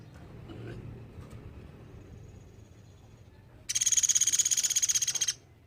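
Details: Sunda pygmy woodpecker in full voice, recorded as a model for teaching songbirds: after several quiet seconds of low hum, a sharp, high rattling trill of fast, evenly spaced notes runs for about one and a half seconds.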